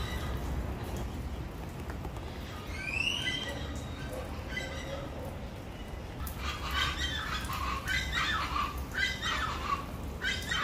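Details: Another bird whistles a few rising notes at first, then a chachalaca chorus of rasping, rhythmic calls builds and continues through the second half.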